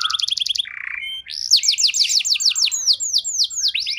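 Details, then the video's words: Canary singing, a lure for canaries lacking condition: a quick doubled trill, a low buzzy rattle, then a long series of loud descending whistled notes about four per second. "Pancingan JITU! Terbukti Ampuh Memancing Kenari Kurang Kondisi!"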